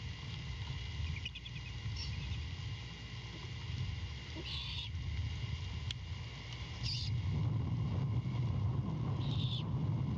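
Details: At a Savannah nest at 23:36 on 23 Feb 2022, a happy great horned owlet gives short, raspy hissing screeches as its mother returns with a rat after five hours away, over a low rumble; finding: Great Horned Owl.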